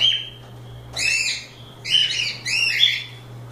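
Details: Loose cockatiels playing and having fun, giving two-note harmonic whistled chirps with rising-falling arcs, one brief and three longer calls spaced about half a second to a second apart, over a steady low electrical hum.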